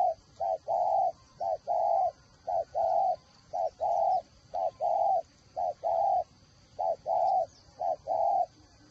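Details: Caged spotted dove, a decoy bird with a whistle-like voice, from Ba Vì near Hanoi, Vietnam, cooing steadily: paired phrases of a short note then a longer rounded coo, repeated about once a second, over a faint constant high hum.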